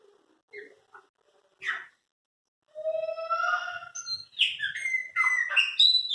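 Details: Song of owned Chopi blackbirds: a few scattered short notes, then a sustained rich whistle with harmonics, followed by quick, varied slurred phrases jumping between high and mid pitches, ending in sharp rising notes.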